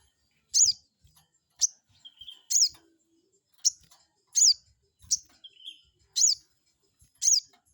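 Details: Crested jay calling as a lure to make rivals reply: high, ringing, down-slurred notes roughly every three-quarters of a second, with two brief lower whistled notes slipped between them.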